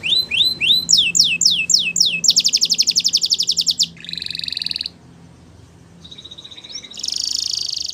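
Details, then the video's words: Waterslager canary song for training: quick rising then falling whistled phrases, followed by a fast pulsed trill, a lower buzzing roll, a brief pause and a high sustained trill. "Waterslager Canary training Songs"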